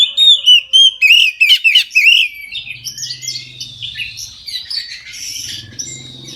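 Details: Oriental magpie-robin full midday song, meant to prompt other magpie-robins into singing; loud clear whistled notes in quick repeated bursts, then softer mixed twittering over a faint low hum.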